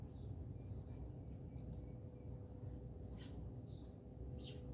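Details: House sparrows fighting at a birdseed feeder at a home in South Africa; short, high chirps scattered irregularly, about six in under five seconds, over a steady low rumble.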